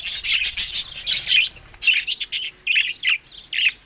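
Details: Budgerigars at summer food, May to June, Larkana, Sindh: a dense burst of chattering chirps for the first second and a half, then single short chirps every few tenths of a second.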